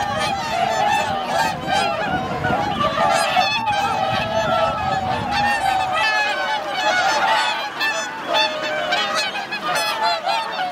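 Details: A huge gathering of swans, 2628 birds, wintering on Lake Hyoko in Niigata, Japan, 8 January 2022: many trumpeting honks pile into a steady, noisy din, with clearer bugling notes rising above the crowd.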